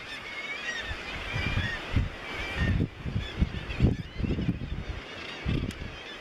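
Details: At Bempton Cliffs, East Yorkshire, in May 2017, a Razorbill gives short, gruff, low croaks in loose series, set against a constant wash of higher wailing calls from the surrounding seabird colony.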